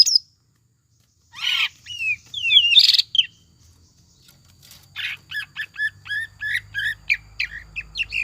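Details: Greater green leafbird lure song with tengkek buto imitation, used to make a caged leafbird sing: mixed harsh and slurred notes, a pause, then a lively train of quick downslurred chirps with a faint low rumble.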